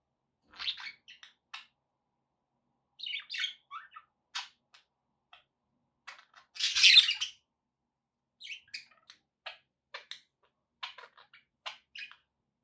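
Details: Pet budgerigars giving sparse, sharp chirps and short squeaky notes spread across a quiet background, with one louder harsh squawk in the middle.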